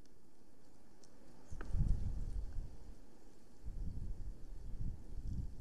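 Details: Low wind rumble and soft thumps near a nest at 9:53 am on 2020/07/13; no animal calls are heard.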